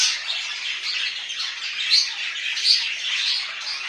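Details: Home-kept budgerigars produce a steady stream of high warbling chatter, with two clear whistled squeaks standing out partway through.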